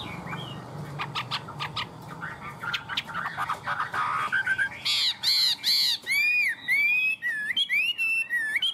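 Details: Caged Chinese hwamei in high 'cao cầu' song: a scratchy, muted opening gives way to loud, clear, looping whistles, repeated in bursts with short gaps, becoming more piercing toward the end.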